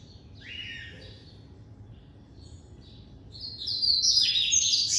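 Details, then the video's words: Classic-style song of a captive coleiro (double-collared seedeater): a few short downslurred whistles at first, then a loud, rapid, rolling run of high buzzy trills that rises and holds to the end; steady low hum behind. "Coleiro Branco"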